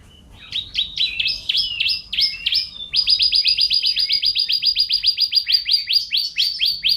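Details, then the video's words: Champion canary song used to train caged birds: jerky chattering phrases, then a long fast trill of evenly repeated high notes with a faint low hum underneath. "Suara KENARI Juara Gacor terbaru || Jitu untuk Masteran dan Pancingan kicau dirumah"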